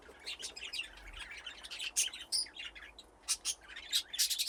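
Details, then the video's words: Aviary budgerigars, a flock grown from two original pairs, keep up a busy stream of chirps and chattering warbles punctuated by louder sharp squeaks. "Budgies playing in the aviary"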